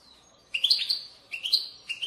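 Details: Two liquid, warbled phrases of European goldfinch bitbita song, meant to encourage goldfinches to sing. The notes are high and slurred, the second phrase closely following the first.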